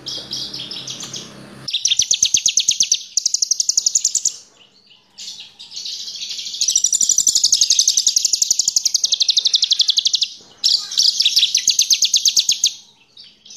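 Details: Horsfield's bush lark kept in a cage, song used as a lure to get other birds singing: long runs of fast, buzzy, high-pitched pulsed trills broken by brief pauses, preceded by a low hum.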